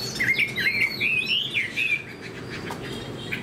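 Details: Chinese hwamei, a caged fighting bird with a fanned tail, giving a loud run of wavering whistled phrases for two seconds before the song fades into faint distant chirps.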